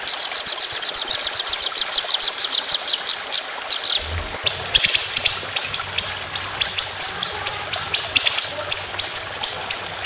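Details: White-rumped shama competition song: a rattling four-second run of rapid high notes, then spaced, loud, ringing notes in long 'roll speed' shots.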